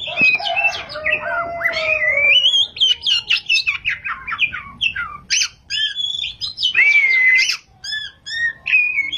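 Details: Kacer, or Oriental magpie-robin, singing continuously in the rolling ngerol and loud nembak styles: dense varied whistles and rapid chattering notes, a long falling whistle, then short repeated chips.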